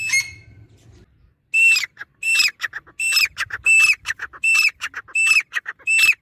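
Grey francolin giving loud, harsh, high-pitched call phrases, repeated roughly every three-quarters of a second after a brief quiet start.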